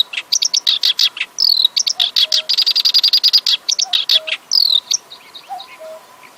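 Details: Black-browed reed warbler song of rapid, sharp chips and rasping buzzes, including descending squeaky slurs. Several soft, lower whistled notes are heard between phrases, and a faint steady hum lies underneath.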